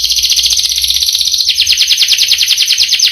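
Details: Canary rolling song: a continuous rapid high trill that switches midway to a slightly different rhythm of fast repeated notes, steady and loud throughout.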